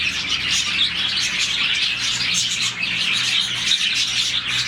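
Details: Morning chorus from a colony of about 40 budgies, chirping as happy birds do; a steady wash of bright, rapid twitters and short squeaks from many birds at once over a soft low hum.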